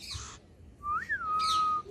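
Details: Pet cockatiel whistling Cookie Song between its owner's words: a steady whistle swelling into an upward-then-downward arch and settling into a long level tone, with short breathy noises before and during.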